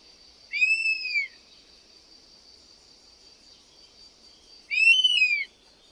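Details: European honey buzzard giving two loud, arched whistled calls with harmonics, each rising then falling and lasting under a second, about four seconds apart, over a steady high-pitched background hiss.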